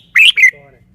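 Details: Caged red-whiskered bulbul showing its song phrasing: a loud two-part whistled phrase, a rising warble followed by a falling, fading whistle.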